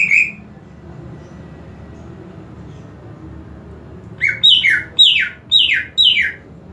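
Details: Greater green leafbird, a kept bird, in a recording about raising its excitement and breeding drive: after a long quiet stretch, five loud, high whistled notes slide steeply downward in quick succession over a faint low room hum.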